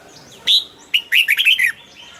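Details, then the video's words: A caged red-whiskered bulbul gives one short, lively song phrase: a clear opening whistle, a pause, then a fast run of bouncing, slurred notes. "นกปรอดหัวจุก นกปรอดหัวจุก เสียงนกกรงหัวจุก"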